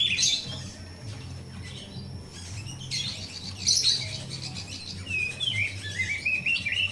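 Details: Natural jalak rio-rio myna song, used as a lure for training young captive birds: scratchy chattering bursts followed by a run of thin whistled notes at the end, with a constant low droning hum beneath.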